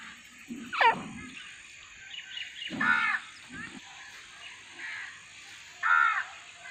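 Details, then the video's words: Francolin (teetar) calling in a group of nine birds, wild and calling naturally while flying: harsh, ringing, harmonic notes in separate bursts a few seconds apart, with a faint steady hum behind. "9 Francolin Calling Sound | Non Stop Teetar Boli"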